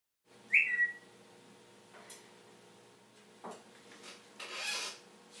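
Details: Talkative pet African grey parrot living in a Texas home imitates the iPhone 'tweet' message sound, giving one quick upward-sweeping chirp, followed by soft clicks and rustling indoor noises.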